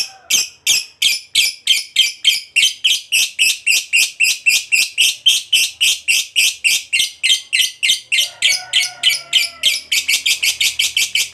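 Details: Lovebird fighter giving the long 'ngekek panjang' chatter used to provoke other lovebirds: a fast, harsh, buzzy run of notes repeated about three times a second for over eleven seconds, with a faint low whistled tone near the end.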